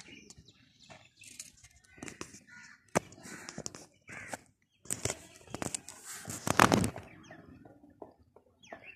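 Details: Crows cawing: harsh, rasping caws in irregular bursts, some single and some in quick runs, the loudest cluster near the middle, with short quiet gaps between.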